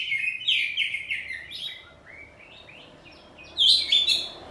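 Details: Kacer poci, a home-kept oriental magpie-robin, in open ngeplong song with back-and-forth phrases; rapid high chirping slurs open the passage, a quieter stretch follows, then a sharp loud burst of whistles near the end.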